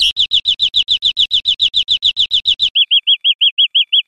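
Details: European greenfinch song used for training caged birds: fast repeated clear chirps at a steady high pitch, then a softer, quicker run of short arched notes. Several seconds of song with no other sounds.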